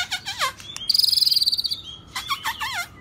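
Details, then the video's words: White-rumped shama singing in the rít thuốc lào style: high wavering whistled notes, then a fast buzzy rattling trill, then more looping whistles, over low background hum. "chòe lửa đuôi tôm hót rít thuốc lào"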